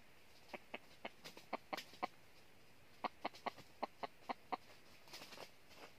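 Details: A decoy junglefowl gives sharp, short clucks in irregular bursts over about six seconds. The birds are used to lure wild red junglefowl into a trap in northern Vietnam.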